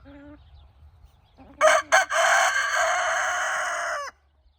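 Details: Evening rooster crow from a flock of hens and roosters scratching in golden light, loud and close: two short sharp bursts, then a sustained harsh, rich crow holding for about two seconds before stopping abruptly, with quiet low rumble before.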